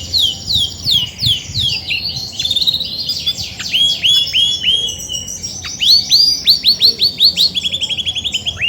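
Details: A grey-and-white female Belgian canary, kept as a pet, mother of more than forty chicks, sings heavily when ready to brood. Rapid high, downward-sweeping whistled notes flow into fast repeated trills, quickening toward the end.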